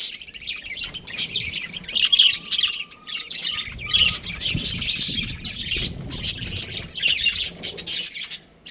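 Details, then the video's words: A breeding pair of budgies keeps up a steady stream of raspy, high chirping and warbled chatter, broken by short gaps, with a few faint steady tones early on. "Amazing budgie chirping sounds | budgies breeding pair"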